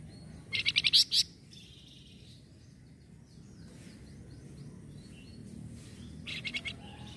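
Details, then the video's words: Scarlet minivet, known in Indonesia as flamboyan, said to answer at once when it hears noisy sounds: a rapid burst of about six sharp, high chirps, then a quiet hissing background, and a shorter burst of similar chirps near the end. "KALO ADA SUARA BERISIK BURUNG FLAMBOYAN INI LANGSUNG NYAUT"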